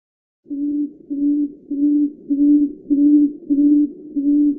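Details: Tawny frogmouth giving a steady series of low, soft humming 'oom' notes, about 100 per minute and evenly spaced, each note short and level in pitch; no other sounds.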